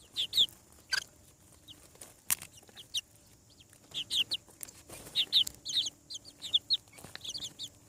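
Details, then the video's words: Freshly hatched chickens on a farm call with clear, shrill peeps sliding downward, grouped in rapid clusters toward the end, with occasional sharp knocks in a quiet background. "Chick sounds. Hatching From Egg"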